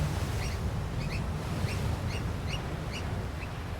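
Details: A territorial African black oystercatcher parent pair calls boisterously in Africa, reacting to the presence of their two tiny chicks. Short, high piping notes repeat about every half second over a steady low rumble.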